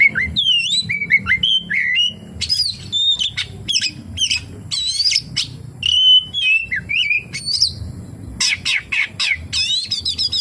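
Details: Oriental magpie-robin singing a full varied song packed with mimicked phrases: sharp rising and falling whistles, quick chirps and trills in rapid bursts, high and bright throughout, with brief pauses between phrases.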